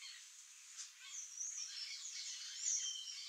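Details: Free-flying wild curl-crested jay in Brazil uttering rough, slurred calls that grow louder after the first second, including drawn-out descending squawks and a sharp note near the end.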